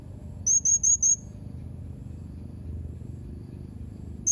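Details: Blue-crowned hanging parrot, dated 31 March 2021, uttering four rapid high thin squeaky notes at the start, then a long quiet gap with only faint low hum before another note begins at the end.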